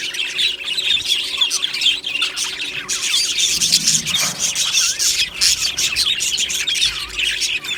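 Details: Budgie flock in an aviary on 1 July 2025 squawking and chirping together: rapid high chattering notes and short squeaks pour out continuously, rising briefly louder around the middle.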